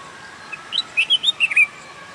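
A bulbul gives a quick burst of about eight bright, bubbly whistled notes, rising and falling over a second, against a faint steady hiss.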